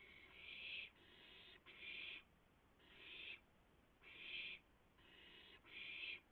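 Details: Owl at a nest during a rabbit delivery, 3:38 AM on April 7, 2016; seven rasping hisses in irregular pairs and singles, each around half a second, over a faint steady background.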